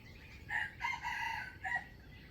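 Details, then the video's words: Wild chicken crowing, used for trapping wild fowl, recorded 05/07/2025; one fairly faint broken crow of a short opening note followed by a longer drawn-out phrase and a brief final note, over low background hiss. "Trap wild chicken with standard crowing voice"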